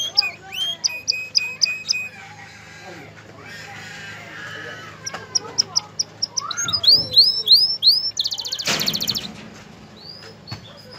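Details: Male canary singing to stimulate a female to mate and nest; scattered sharp chips and repeated upswept whistles, then a brief harsh buzzy burst near the ninth second, with gaps of faint background noise.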